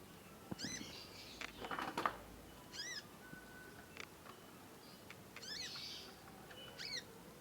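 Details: Chatty young conin learning to sing: repeated short, arched, high chirps with overtones, some in quick pairs, mixed with clicks, a brief flat whistle and soft rustling noise.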